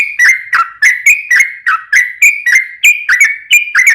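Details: Gacor trucukan, a yellow-vented bulbul, delivering a long rapid 'ropel' song to lure other bulbuls into calling: steady chattering burble of short warbled notes, about three per second, with nothing else audible.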